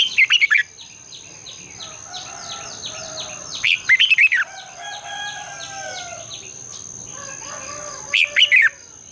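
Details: Red-whiskered bulbul singing in the morning to stimulate other birds: short rapid warbled phrases roughly every four seconds, over a background chorus of repeated descending chirps from other birds.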